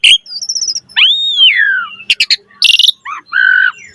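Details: Asian pied starling singing while puffing up: a short trill of high chips, a long arching whistle falling slowly, a rattle of clicks, a harsh burst, then mellow warbled notes.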